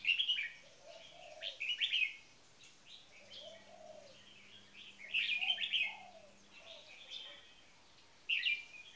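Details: Caged red-whiskered bulbuls, one a champion marathon frequency singer and one on its first caged day, repeat energetic chirpy warbled phrases every couple of seconds, with softer low gliding notes between.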